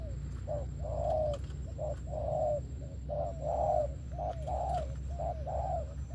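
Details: Spotted dove in thổ-style cooing: deep rounded notes in short-then-long pairs about every second, a steady low hum underneath.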